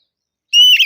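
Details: Oriental magpie-robin lure song in ngeplong style: after silence, one bright sustained whistle begins, then dissolves into a short scratchy warble.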